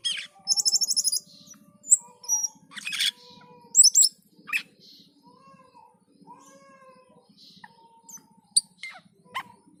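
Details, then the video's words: Cucak keling, the Black-and-white bulbul, in full gacor song: a rapid trilled burst, then scattered sharp high chirps and squeaks with a few soft lower whistled slurs between, and a faint continuous low hum behind. "Suara MENYERAMKAN Burung Cucak keling ketika gacor dan teler"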